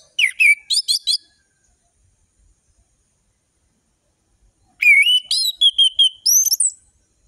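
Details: Orange-headed thrush in lively full-variation song, with the ngeplong style and varied ngeriwik trills, tembakan bursts and sharp whistles, used as tutor song for young birds: two bursts of rapid, sharp whistled notes sweeping high, separated by silence.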